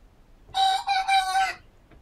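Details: Rooster crowing in a duel with another rooster: a single loud, harsh crow of about one second, broken into several connected segments, rising slightly then falling away, with quiet background afterwards.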